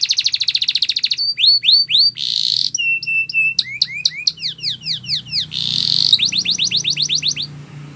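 A canary sings high, rapid tours that switch about every second: fast rolling trills, rising swept notes, clipped metallic chips and clear whistles, over a faint low hum.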